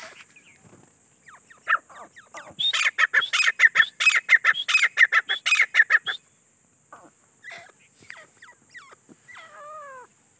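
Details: Grey francolin, called teetar locally and described as wild, giving a loud run of harsh, ringing notes repeated rapidly for about three seconds, preceded and followed by fainter scattered notes and a constant high hiss.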